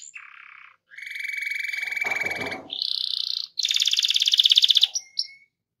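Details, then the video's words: Canary performing a rolled song to trigger singing in other canaries: steady buzzy trill blocks stepping up in pitch, a brief scratchy burst, and a final fast, loud pulsing roll with short whistled notes. "SUARA KENARI GACOR NGEROL"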